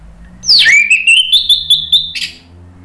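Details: Orange-headed thrush (anis merah) singing as a lure. A sharp downward sweep opens into a steadily rising, pulsed whistle laced with fast chips, ending in a brief harsh burst, all within about two seconds.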